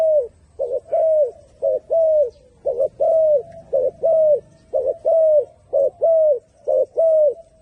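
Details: Turtle dove giving steady two-part coos, a brief note then a drawn-out, gently falling one, about once per second for nine or ten pairs, clear and low against near silence.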